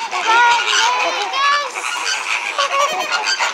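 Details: Captive flamingos at SeaWorld, very loud that day: a dense chorus of nasal, goose-like honks from many birds overlapping, some calls rising and falling, with a steady crowd murmur underneath.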